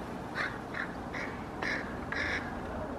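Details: Hooded crows chasing a common raven that carries pigeon pieces, Helsinki park, Finland, 8 May 2024. Strong, nasal caws in a fast string, the later ones longer and rasping.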